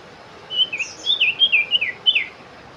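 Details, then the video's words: Sooty-headed bulbul, known locally as cipow or cipoh, singing a quick run of about eight clear, bubbly whistled notes that rise and dip. The phrases are tightly spaced and the background is quiet. "sirpu cipow , cipoh , belajar bunyi"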